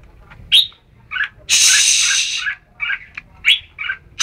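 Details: Red-whiskered bulbul with short whistled notes and warbles, interrupted by a loud hissing, rushing noise lasting about a second.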